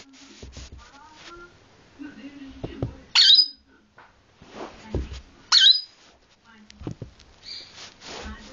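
Two harsh, shrill screeches about two seconds apart. Softer chattering and a person's voice are heard in a small room.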